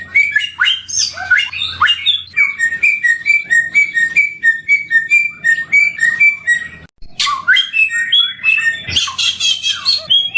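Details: Endemic samyong bird in Indonesia, described as sweet-voiced. Clear whistled two-note phrases near the same pitch repeat about four times a second, broken by bursts of harsh, rushing chatter at the start and after a brief gap.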